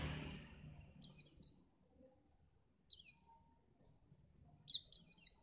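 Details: From Pacitan, a white-eye whose song is meant to make other birds sing for contests gives three short bursts of high twittering notes, each under a second long, separated by quiet pauses.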